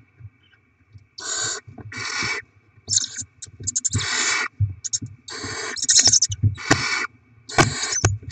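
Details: Barn owls feeding chicks after rodent deliveries, 7 February 2024: rasping hisses in irregular bursts, mixed with scraping, knocks and shuffling in the nest.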